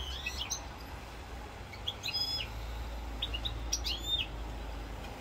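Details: European goldfinch from Corsica, recorded 7 November 2022: scattered short bright chirps and rising twitters in small bursts with gaps, over a steady low hum.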